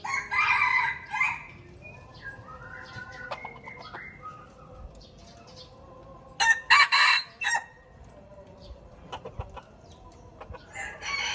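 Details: Red junglefowl from Aceh crowing on a lure track: a harsh crow opens, soft clucking and faint tones follow, then a second choppy crow and a few closing bursts.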